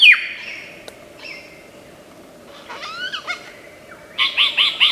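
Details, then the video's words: A lyrebird, the Australian forest mimic, gives a loud downslurred squeal, thin level whistles, a pair of curving chirps, and finally four rhythmic buzzy bursts with arched notes in quick sequence. "Tembakan Lyrebird gacor 1001 macam suara cocok untuk masteran,Lyrebird song bird singing"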